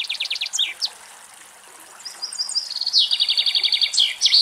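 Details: Wild common chaffinch singing in Greece; a song ends in a quick trill and flourish, then after a quiet gap a new phrase begins with thin notes, builds into a fast repeated rattle, and finishes with an emphatic ending.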